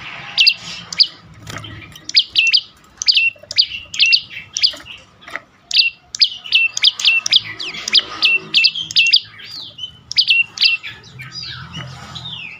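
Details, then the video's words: Prinia, a lure recording for silent cage birds: a long, energetic string of sharp, falling chirps in quick groups, with a brief pause midway and some slurred notes near the end. "full Dorrr prenjak lumut lain makin tergoda berbunyi sangat ampuh untuk pancingan burung bisu"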